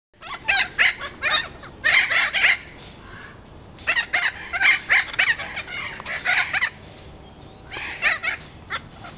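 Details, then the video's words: Thick-billed parrots from a breeding flock at World Bird Sanctuary, St. Louis, Missouri, give harsh, raucous squawks in quick bursts of three to six notes, with brief pauses between the outbursts. "Thick-Billed Parrots"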